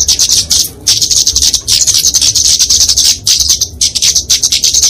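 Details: High, sibilant flowerpecker fighting song used as a training and lure recording: near-continuous thin chittering runs with very short breaks, steady and insistent.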